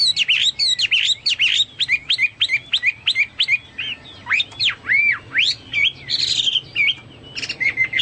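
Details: Chinese hwamei singing vigorously (gacor), its song likened to a cucak Papua or cucak mas; loud, rapid run of varied whistled notes, many sharply rising and falling slurs, delivered in quick bursts with brief gaps.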